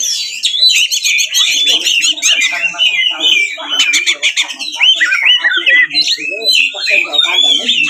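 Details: Oriental magpie-robin fighting song, used as a lure to anger a rival magpie-robin into answering and fanning its tail. A loud, continuous, high-pitched torrent of varied whistles, sharp chips, trills and buzzy rattles pours out without pause.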